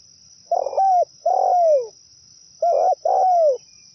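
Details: Zebra dove song used as a trapping lure: two paired cooing phrases, each a burry note then a longer falling coo, the pair repeated after a pause of about a second, over a steady high-pitched electronic whine.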